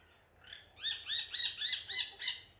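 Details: Parrot repeating a short, bright, slightly grating call six times at an even pace of about three per second, each note with a rising-then-falling shape.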